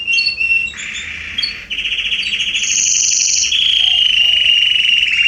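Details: Canaries singing in a garden in September 2020: short chirps open into a continuous rolling trill, followed by a louder, very high, bright tour and a steady trilled ending.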